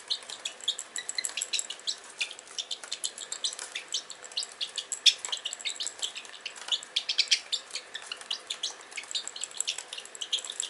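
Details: Pet Pacific parrotlet indoors playing with magnets and a medicine bottle: rapid, high, scratchy chirps and ticks several times a second, mixed with light clicking and tapping of small objects.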